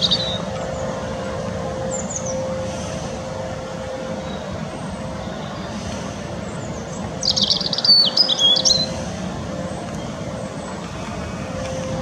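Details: European robin singing at Teddington Lock, UK, filmed handheld on a Nikon P900 in the wind. A single short burst of high, rapid, thin and glittering notes comes near the middle, over steady wind roar and low rumble, with faint thin notes earlier.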